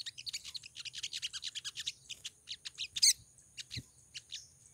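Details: Olive-backed sunbird female calling to attract a male: a fast run of high chirping notes, about five per second, with a louder sharp note near the end and a soft low background hum.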